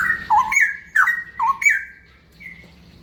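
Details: Straw-headed bulbul singing in the ropel style: loud, rich whistled phrases that jump between low and high notes, with slurred rising and falling swoops, then a pause and a softer high whistle.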